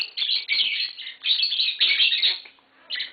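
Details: Tame green Fischer's lovebird pair singing: a dense, unbroken stream of shrill, high twittering chirps lasting several seconds, then a short pause and one more burst.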